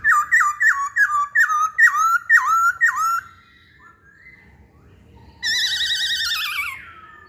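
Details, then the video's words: An energetic masked laughingthrush gives seven loud, evenly spaced downslurred whistles, about two per second. After a quiet gap it adds a long, buzzy, quavering harsh phrase. "Burung Poksay Hongkong Gacor"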